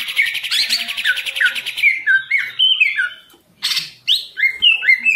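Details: Caged green leafbird in full song, opening with a rapid buzzy trill and then a sequence of loud, clean whistled notes that swoop downward, separated by short gaps and a brief sharp burst.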